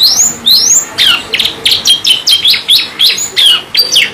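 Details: Canary singing with rising whistled sweeps followed by a run of short sharp chirps, roughly two notes per second, over a steady background hiss.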